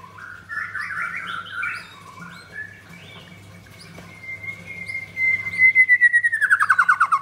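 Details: Captive white-rumped shama, blorok variety with double leg rings, kept at a bird kiosk in Kemayoran, Jakarta, Indonesia, singing actively: varied warbled phrases, a long thin held whistle, then a fast descending trill, over a low steady hum.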